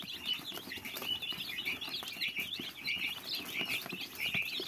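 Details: Fluffy young chicks give a quieter, continuous stream of shrill cheeps, the calls overlapping irregularly over soft background noise.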